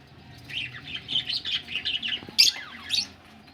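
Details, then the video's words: Budgerigars ready for laying eggs warble in a quick run of rising and falling squeaky notes, ending with two sharp, loud chirps. "budgies ready for laying egg"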